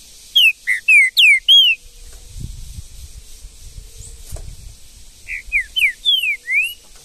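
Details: Trinca-ferro, the green-winged saltator, singing in the woods in Brazil: two fast phrases of loud whistled, mostly downslurred notes, separated by about three seconds of soft low rustling and knocking.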